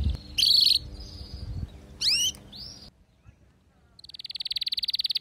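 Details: Domestic canary, described as a female's mating call with a singing male; short buzzy trills and curved whistles, a near-silent pause, then a steady rapid pulsed trill of high notes.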